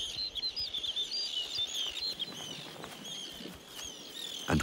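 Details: Male Snow Bunting singing loudly to proclaim his territory and mate while breeding on a lakeshore in a glacial landscape in summer: short, clear, high warbling phrases in quick bursts over soft wind and faint rustling.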